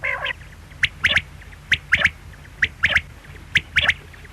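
Quail giving sharp, liquid three-note phrases, one note then a quick pair, repeated about every second over a low steady hum.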